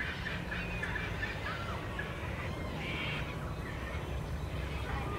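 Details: Purple Swamphen with a chick being fed, filmed in February 2017 in Centennial Park, Sydney, Australia; faint, short squeaky calls with brief rising and falling notes over a steady low rumble of background noise.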